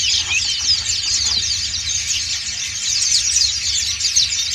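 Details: White-eyes of the dakun and montanus types singing ngriwik as a flock, producing a bright, seething chorus of high chirps and fast trills, with a faint low hum underneath.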